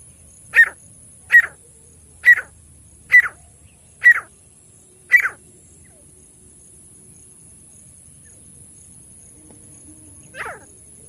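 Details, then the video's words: A partridge (teetar/francolin) calling: six sharp, harsh calls about one per second, then a long pause before one softer note; a faint steady high whine runs throughout. "तीतर ना आने वाला बेस्ट आवाज। The best sound of the partridge not coming | partridge voice"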